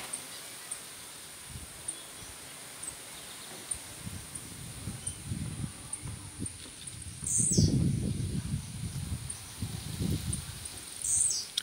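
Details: Blue-black grassquit singing, with another singing nearby, gives two short, high buzzy notes about four seconds apart, with faint high ticks between, over low rumbling wind and handling noise.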